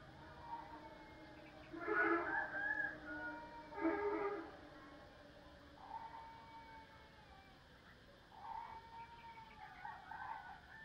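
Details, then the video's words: Spotted dove kept as a decoy bird, praised as a rare fine singer, giving low cooing phrases at about two-second intervals early on, then softer, more spaced coos, over a steady noisy background. "Cu gáy mồi cây, hót hay 30 con có một"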